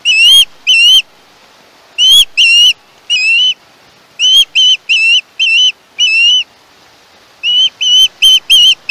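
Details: Young osprey at a nest in the Chesapeake area, filmed by a live nest camera on 21 August 2019, screeching in bursts of high, shrill, whistled notes, several short calls in quick runs with brief pauses between.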